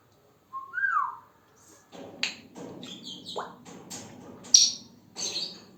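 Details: An African grey parrot, a male pet, chatters to himself: one clear rising-then-falling whistle, followed by scattered clicks, pops and short squeaks in a quiet room.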